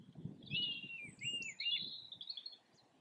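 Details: A pair of red kites displaying over a garden and surrounding farmland in Yorkshire at lunchtime on 24 February 2021, a grotty overcast day: high, wavering, quavering whistles in several drawn-out phrases over a low background rumble.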